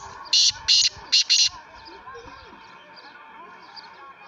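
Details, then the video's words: A six-month-old young black francolin (kala teetar) gives four harsh, rasping calls in quick succession, then falls silent. Faint chirps from other birds and a low background hum follow. "Black Francolin || baby Calling || 6 Month old || kala Teetar awaz"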